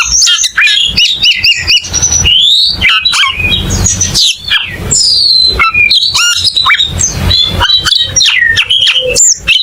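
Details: Varied song of cucak keling: loud, jerky high whistles, squeaks and harsh squawky notes delivered in quick separate bursts with short gaps.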